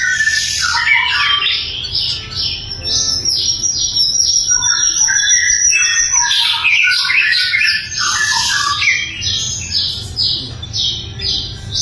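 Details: Loud sikatan londo flycatcher song meant as training material for other songbirds: long stream of quick high chirps and trills, about two notes each second, broken by brief lower chattering bursts.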